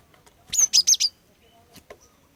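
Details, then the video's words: Female cinereous tit lure song: a single tight phrase of four high, ringing whistled notes, followed by faint clicks. "Kicauan Glatik Betina Pikat Gacor, Cepat Bikin Glatik Jantan Ikut Bunyi Gacor"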